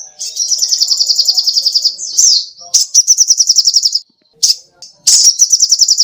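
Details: Little spiderhunter (sogoh ontong), kept as a songbird-tutor recording and described as singing energetically. High, rapid buzzy trills of evenly pulsed notes run in long bursts, broken by short sharp chips and brief pauses.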